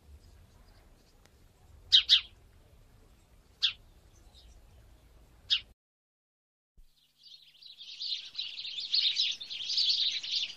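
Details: House sparrows in Wittlich, Germany, 2017, giving sharp, bright chirps: a quick double, then two singles about two seconds apart, followed by a steady hissing, chattering wash.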